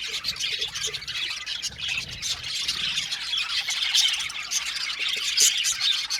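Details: A colony of budgerigars in an aviary gives harsh squawks mixed with high chirps and warbling. The dense chatter from many birds runs throughout, with some soft low noises behind.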